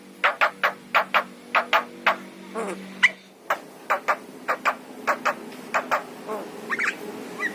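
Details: Javan myna with yellow eyes singing, a recording meant to prompt pet mynas to sing: a steady series of sharp, clipped broadband notes, with a brief whistled, wavering phrase near the middle.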